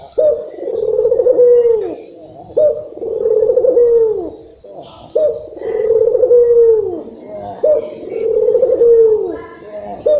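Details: Stirred-up Indonesian local Barbary dove calling to stimulate other doves: a run of four long vibrating coos with falling endings, steadily repeated, plus a faint soft noise between calls.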